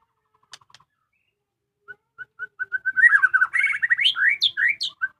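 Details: Home-kept white-rumped shama: after a few faint ticks, spaced whistled notes quicken into a dense warbled trill, then bold swooping whistles and high slurred phrases.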